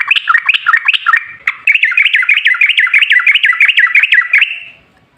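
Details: Sooty-headed bulbul ropel ngalas singing, used to lure other bulbuls into calling back: a long, unbroken string of quick, evenly paced chirps that stops abruptly, leaving silence at the end.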